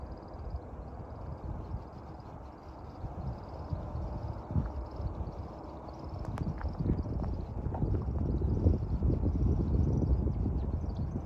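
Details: American woodcock display flight at dusk in spring: rapid, high, pulsing wing twitter continues through the whole stretch, with a few sharp clicks midway and growing low rumble later.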